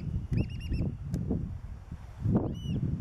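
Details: Black oystercatchers, with chicks, at Hopkins Beach, Pacific Grove, near harbor seals: a quick run of four sharp, arched, whistled notes, a single click-like tick, then one more arched whistle, over wind rumble.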